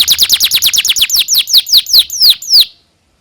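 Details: Canary singing a training phrase for young canaries: a rapid run of falling chirps that slows steadily, the last notes spaced wider apart before silence.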